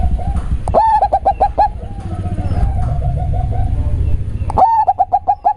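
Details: Local zebra dove with a deep bassy voice: a burst of quick ringing coos, then a long soft rolling purr, then another stuttering burst of coos, over a low humming background.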